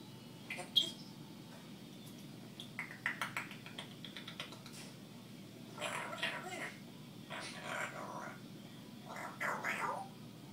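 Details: Female African grey parrot, a pet aged one year and six months, talking to herself indoors: soft, speech-like mumbled phrases in short bursts, with a few clicks and light tapping sounds between them.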